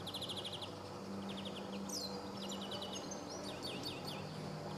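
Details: Male European greenfinch recorded on 26 July 2014 at Sabunike, Croatia, giving quick rattling series of short high notes, with other birds chirping and twittering later and a steady low hum beneath.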